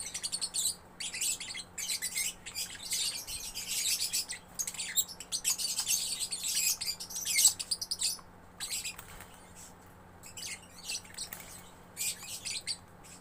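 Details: Young lovebird chattering in gacor style, long run of shrill scratchy twitters in irregular bursts separated by short silences, steady faint hum in the background.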